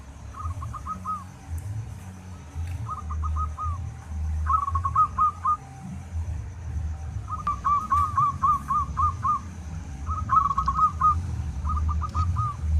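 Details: Local zebra dove song for training caged doves: six short bursts of quick staccato coos, each a fast rippling trill, evenly spaced, set against continuous low-pitched background rumble.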